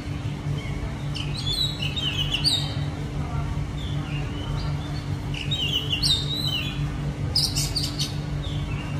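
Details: An Oriental magpie-robin in the city gives bright, varied whistles and sharp chirps in scattered bursts, over a steady low city hum.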